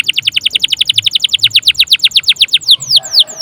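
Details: Canary singing 'gacor' as a lure recording to trigger other songbirds: a rapid, evenly repeated series of sharp high chips at about four per second, ending in slower downward-swooping whistles.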